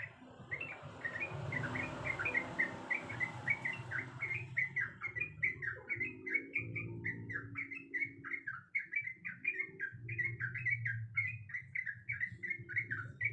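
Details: Female sooty-headed bulbul calling the male: a long, lively run of bubbling, chattering notes that rise and fall in quick succession, with low rumbling and a mid-pitched background drone at times.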